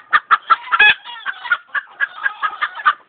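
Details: Chicken clucking and screeching: a rapid series of short, harmonic clucks about every fifth of a second, with a louder, stretched squawk near the start and fainter overlapping clucks throughout.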